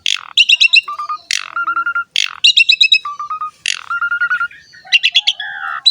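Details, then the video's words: Song of the Asian pied starling, called jalak suren, used as a lure: harsh bursts, stuttered chatter and a level low whistle repeated in a steady cycle. "JALAK SUREN GACOR ‼️ MASTERAN DAN PANCINGAN BURUNG JALAK PALING AMPUH"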